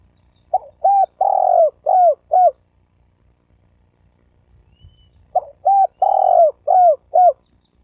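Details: Spotted dove calling to provoke other doves, male and female, to coo and fight. Two repeated phrases about five seconds apart: a brief lead note, then a long rough coo followed by a pair of short falling coos.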